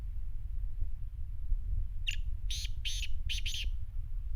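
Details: Black francolin, or Sindhi teetar, produces a single burst of five coarse, buzzy notes after a quiet start, set against continuous low-pitched background noise.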